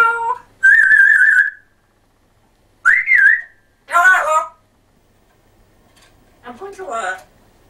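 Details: Pet African grey parrot speaking in a Yorkshire accent: a long flat whistle, a wavering rising whistle, a harmonic spoken-sounding phrase, then softer chatter after a pause.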